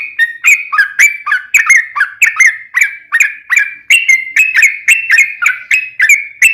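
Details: Sooty-headed bulbul singing a lengthy rolling phrase intended to goad other birds into song: crisp whistled notes in a fast, even rhythm, alternating higher and lower slurs, strong and clean throughout.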